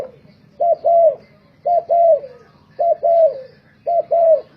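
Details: Singing-contest decoy spotted dove gives four paired coos in regular succession. In each pair a clipped note leads into a longer coo that trails downward. A quiet low hum runs beneath.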